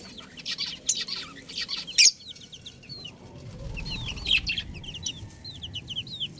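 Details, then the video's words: A brood of baby chicks peeps continuously with short, high, slurred whistles, often falling in pitch. A sharp knock sounds near two seconds, and there is a soft low rumble in the background. "Cute Chicks Sound Effect 🐥🐣 | Beautiful Baby Chicken Sounds"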